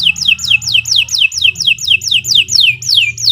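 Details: Canary singing a long vigorous song meant as a masteran for training other birds: about a dozen loud, high, down-slurred whistles repeated evenly, roughly four per second, over faint low background hum.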